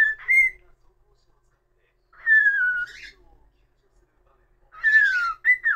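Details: Indoor pet cockatiel singing: short upslurred whistles, then a long descending whistle trailing into buzz, spaced by gaps of about two seconds, ending with a noisy chatter and rising note.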